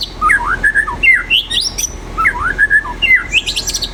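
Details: White-rumped shama in full song: clear whistled phrases sliding up and down, repeated twice with a similar pattern, ending in higher sharp notes, over a steady low background hum.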